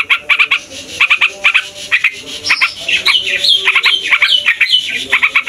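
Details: Yellow-vented bulbul song used as a lure for wild bulbuls: short stuttered note clusters give way to higher, varied whistled and warbled phrases that twist up and down.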